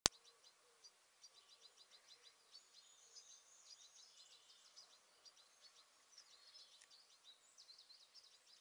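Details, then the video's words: Lovebirds chattering: a steady stream of thin, high-pitched chirps and short squeaky twitters, repeated rapidly over several seconds with slight shifts in pitch, heard against a quiet background. "Love birds"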